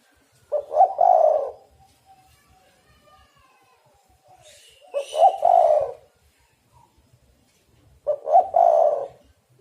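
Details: Spotted dove cooing as a trapping lure. Three evenly spaced phrases roughly three and a half seconds apart, each a soft stutter and a rough drawn-out coo, faint hiss between them.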